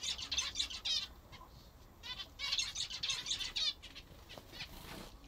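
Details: Zebra finches kept at home call while eating what they like best: quick nasal beeps in clustered bursts, several birds overlapping, bright and loud, with brief pauses between runs.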